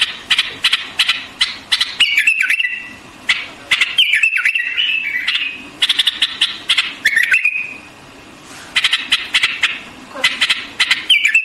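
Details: Repeated phrases from a white-eared bulbul: clusters of quick harsh chirps alternating with short gliding whistles, one longer pause midway.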